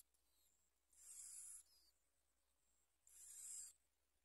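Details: Bar-winged prinia chicks in the nest, being fed black worms by the adults, give two harsh, hissing begging bursts about half a second long, roughly two seconds apart, over a quiet background.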